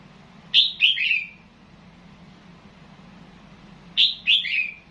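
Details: Red-whiskered bulbul singing in Loei province, Thailand, in the style called nap dok (counted phrases). Two short phrases of three bright, liquid whistled notes that slide downward, about three seconds apart, over a low steady hum.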